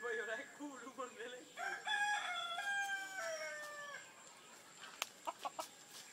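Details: Chickens fighting in American Samoa while people watch; a rooster gives a loud crow with stacked harmonic notes that hold steady, then slide slightly downward, followed by a few sharp clicks and knocks.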